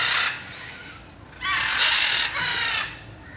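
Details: Macaws recorded on 6 June 2022, giving loud, harsh, raspy squawks: one brief cry at the start, then two longer grating screeches back to back after a short pause.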